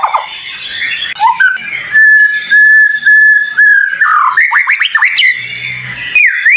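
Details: White-rumped shama singing a sharp, high-pitched varied song: long steady whistled notes held at one pitch, then a quick series of rising slurred notes and a final upward swoop, with a faint low hum briefly audible.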